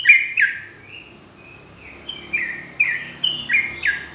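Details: Sooty-headed bulbul in lively ropelan song, sharp whistled notes, then softer drawn whistles, then a run of strong slurred notes roughly every third of a second; faint background rumble.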